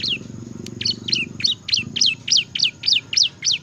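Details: Ciblek, or bar-winged prinia, in gacor ngebren song: a steady series of high, downward-sweeping chip notes, about three a second, with a low background hum in the first half.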